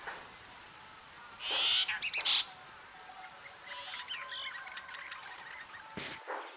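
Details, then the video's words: Brahminy starling in Danchang District, Suphanburi Province, Thailand, giving a loud, harsh burst of high chattering notes, followed by softer, varied twittering and chirps. "Brahminy Starling"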